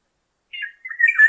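Black-naped Oriole giving a brief burst of two fluty, slurred notes, the second longer and richer, with a faint high hiss above.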